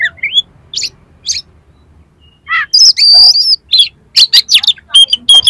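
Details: Oriental magpie-robin pouring out a varied song rich in harsh filler phrases, used to stir up a rival magpie-robin; scattered chirps, then a dense run of whistles, rasps and sharp high notes.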